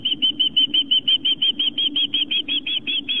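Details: Osprey at a nest on Long Island, New York, on 11 September 2007 at 4:55 pm, with fish being delivered to the nest. Clear whistled chirps come in a steady series, about three per second, over a low steady hum.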